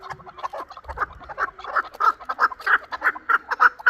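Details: Chukar partridge from Qavoq, Shurobod, a young bird hatched the previous year, giving a quickening run of clucking chuk notes that grows louder toward the end of the series.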